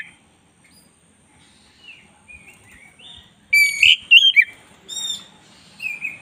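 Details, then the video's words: Black-breasted white-rumped shama song for training captive birds: a few quiet whistles at first, then loud sharp buzzy notes and clear whistled phrases, a faint low hum underneath. "10 menit masteran kacer dada hitam GACOR"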